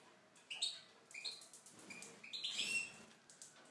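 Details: Caged Tunisian goldfinch in an aviary giving a short run of high, chirpy notes and quick liquid twitters, softly delivered over a faint hiss.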